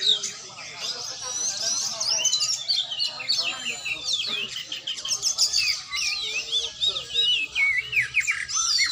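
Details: Oriental magpie-robin in training: crowded, overlapping high whistles and chirps, growing into sharp sweeping phrases in the second half, with low background rumble.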